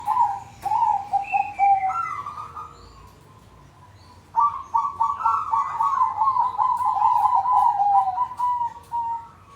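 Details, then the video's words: Group of kept zebra doves cooing together, used as a lure for doves that have stalled or not yet started singing: overlapping bubbling, pulsed mid-pitched coos in bursts, a short lull, then a longer rolling chorus. "Pancingan buat burung perkutut macet atau belom bunyi,ini ombyokan aja sudah bunyi"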